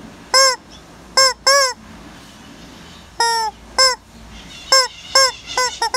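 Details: Hen calling near the bushes: loud, harmonic squawking notes, each short and bending downward at the end, given singly or in pairs, about eight in six seconds, against a quiet background.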